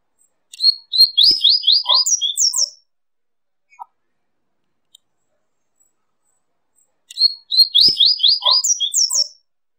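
A double-collared seedeater sings two bright phrases of fast, high, buzzy trilled notes, each about two seconds long, separated by a pause.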